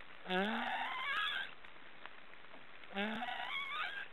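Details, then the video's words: Black storks snoring: two rasping, honk-like calls about two and a half seconds apart, each opening low and sweeping upward with rich overtones, separated by quiet hissy background. "Black storks are snoring"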